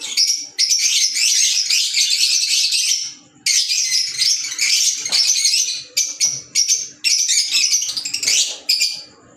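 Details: Green Fischer's lovebirds in noisy, continuous high-pitched chattering, long runs of overlapping squeaky chirps broken by brief pauses, then shorter, choppier bursts toward the end.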